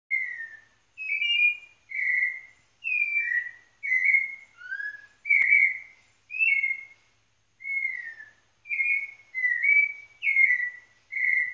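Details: White-necked thrush singing in Pernambuco, Brazil: a steady run of short, clear whistled phrases, each slurred or falling slightly, given about once a second with brief pauses between them, against a quiet background.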